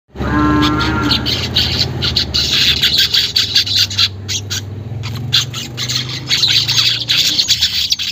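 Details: Weaver song used as lure audio to make caged birds sing quickly; a short harmonic tone opens, then dense sizzling, buzzy chatter runs continuously with clicky bursts over a low background hum.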